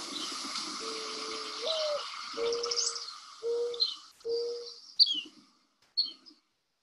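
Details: Mourning Dove in the Chicago area gives its soft, low, hollow cooing, likened to "hula hoop": a longer rising first note then three steady coos, over hiss with brief high chirps; Mourning Dove.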